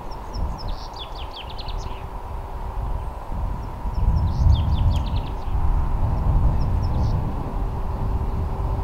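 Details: Common chaffinch singing two phrases of quick, high, descending trilled notes about three seconds apart, over heavy low rumbling noise that sounds like traffic or wind.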